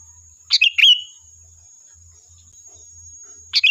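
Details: Sooty-headed bulbul song played as a lure to draw a reply, one bright phrase of two sharp chirps sliding into a short fluty whistle, then quiet until a clipped start of another phrase; a thin steady high tone persists.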